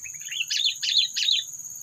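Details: Sooty-headed bulbul lure call for bird trapping, used to provoke predators: three quick, bubbly chirped notes about a third of a second apart, over a low hum and a steady high whine.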